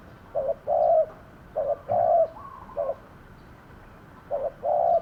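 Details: Caged lure spotted dove attracting wild birds; low coos in paired phrases, a short note then a longer rolling coo, about one phrase per second, over steady hiss.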